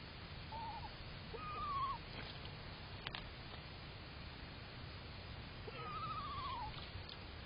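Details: Screech owls bathing at a pebble-lined bird puddle, an adult and a fledgling, recorded June 11, 2023 on an outdoor camera: a brief quavering note, then two separate descending trilled whinnies several seconds apart over constant background hiss.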